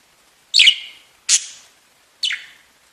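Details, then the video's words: Budgerigars chirping: three separate sharp, squeaky calls, each starting high and quickly sliding downward, spaced under a second apart with silence between. "Веселое пение волнистых попугайчиков / Funny singing of wavy parrots"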